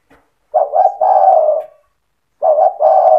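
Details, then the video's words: Spotted dove singing in the energetic 'cetretan' style, used to stir other doves into answering. Two phrases of a quick double-note lead-in then a drawn-out husky coo, with clean, quiet pauses between them. "Suara burung tekukur gacor cetretan bikin deruk tekukur derkuku balam lain emosi ikut bunyi"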